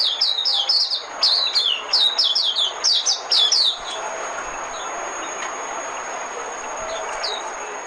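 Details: Oriental white-eye singing as a trapping decoy: nearly four seconds of fast, high, down-slurred chirps in a lively stream, followed by steady soft hiss with only a couple of faint, isolated high notes.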